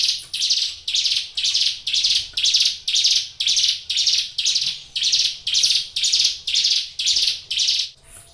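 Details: Hill Prinia kept caged and singing energetically. Harsh buzzy notes repeat at about two per second in an even series that stops shortly before the end.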